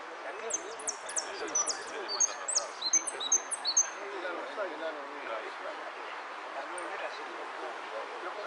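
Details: Saffron finch performing repique song at a Monte Grande singing contest, 03 11 13: a rapid run of about a dozen high, clipped downslurred notes in the first four seconds, then only people chatting.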